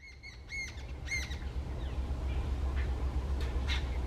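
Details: Jungle babbler, a single agitated bird calling out loudly: two quick bursts of harsh, nasal, rapidly repeated notes in the first second and a half, then fainter scattered notes over a steady low rumble.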